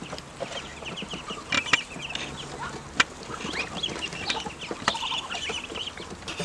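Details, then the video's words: Ducklings that have grown and call more when hungry, heard as a busy chorus of sharp, high peeps with short upward and downward slurs, punctuated by a few clicks and knocks. "Ducklings have grown and are making more sounds, especially when hungry"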